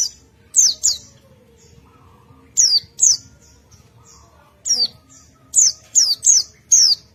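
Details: Ngalas-style singing from a white-eye answering another of its kind: piercing high falling whistles, mostly in pairs or trios, with gaps of about a second and a half between bursts.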